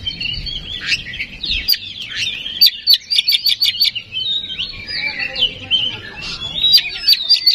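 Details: Lure song of an oriental magpie-robin meant to stir a bird into singing: a continuous, rapid, varied jumble of high whistles, chirps and clicks, with faint low background noise.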